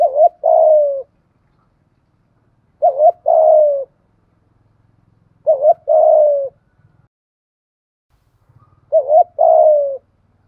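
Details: Decoy spotted dove giving its 'gáy gọi một hậu' one-ending call to attract wild birds; four identical phrases roughly every three seconds, each a quick wobbly double note followed by a longer descending coo, with faint low rumbling between.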